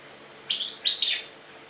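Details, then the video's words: Short goldfinch phrase recorded in Jagodina: a run of quick chirps climbing to a sharper, louder twitter that fades away, heard against a soft steady background hiss. "Stiglic-Jagodina 5"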